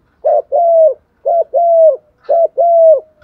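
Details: Spotted dove kept as a decoy, giving patterned coos to trigger calling by others: three evenly spaced double-note phrases, a short clipped coo then a longer flat one, with a faint high chirp near the end.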